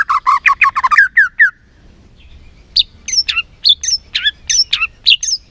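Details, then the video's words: A white-rumped shama sings as a lure to stir a lazy shama into loud song: a rapid burst of stacked chirps, a brief pause, then sharp high whistled notes repeated roughly twice per second. "PANCINGAN MURAI BATU BONGKAR ISIAN GACOR, MURAI BATU MALAS NAIK EMOSI LANGSUNG BUNYI GACOR."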